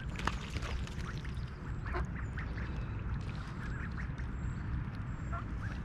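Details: Early-morning mallards at Snelli Pond, Tallinn, Estonia, in July: a mother duck with her nearly grown brood taking oats, giving short soft quacks and dabbling calls through a continuous deep background roar.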